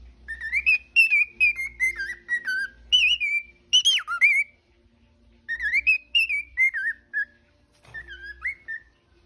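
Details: Pet parrot indoors, singing and talking: bursts of clear whistled phrases, each note sliding downward, delivered in quick runs of about two per second, broken by a pause before a final short upslurred whistle.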